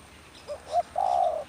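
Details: Spotted dove, a tame decoy used for bird trapping during the rainy season, giving one call: two short soft coos followed by a longer, steady, mellow cooing note, over quiet background.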